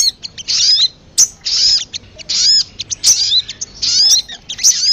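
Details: Sogon lure sound for attracting birds, with short bursts of high, sharp chirps and thin downslurred whistles. The bursts come about once a second, separated by brief pauses.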